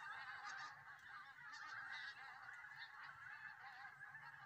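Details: Solway Firth goose flock near Southerness, Scotland, honking constantly, with slightly louder pulses of calls coming roughly every second or so over the massed chorus.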